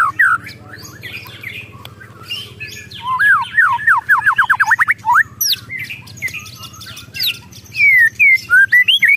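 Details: Emotional White-rumped shama in ketrekan style, delivering a rapid series of about ten rising whistled sweeps, then scattered high chips and a run of clear slurred whistles near the end.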